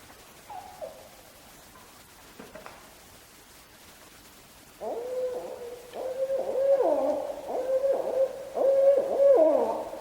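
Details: Barred Owl vocalizations with a juvenile present, recorded live: after a faint early note, a run of loud nasal calls with level tones and drooping slurred ends, repeated roughly every half second, with some mic static.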